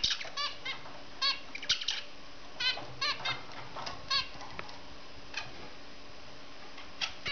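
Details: Zebra finch on a swing giving short, nasal, toy-trumpet calls in irregular bursts over a faint background hum.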